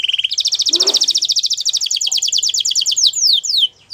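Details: Canary delivering a long rapid rolling trill of clipped high notes, a brief low buzzy sound underneath near the start, finishing with a few loud descending slurred whistles.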